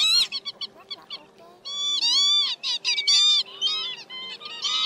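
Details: Northern lapwing calls played to lure migrating birds into night nets in March: stuttering short nasal notes at first, then a dense stretch of loud, overlapping, slurred wheezy cries.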